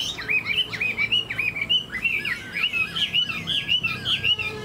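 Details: A very old, nearly tame captive Chinese hwamei (Garrulax canorus) performing a wing display with its tail fanned sings a rich, fast run of looping whistled phrases, rising and falling, nearly two a second without pause.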